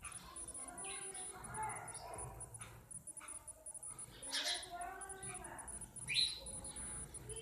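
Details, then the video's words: Several sparrows chirp in short, bright, scattered notes, many calling at once, over a steady noisy background with faint voices. "Natural sound of Sparrows"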